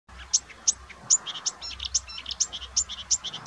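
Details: Marsh warbler singing at Budimír, Slovakia, with a tick on its face: rapid chattering run of high sharp notes and short buzzy elements, a bright high click recurring about every third of a second.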